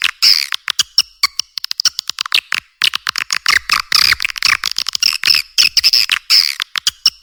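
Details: Edible-nest swiftlet lure sound for nest houses: fast bursts of harsh chirps and twittering buzzes alternate with dry clicks, with brief silent gaps between bursts.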